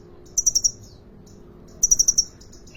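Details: Caged sunbird at a bird market in Depok, singing actively: two short bursts of four rapid, very high, sharp chirps, each group of notes close together, separated by a pause of over a second, over a low steady hum.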